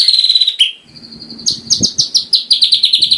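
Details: White-rumped shama song used as tutor audio for caged birds and contest preparation: a long high whistled note, a sliding drop, a steady thin whistle, then a quick run of bright repeated chips over faint low knocking.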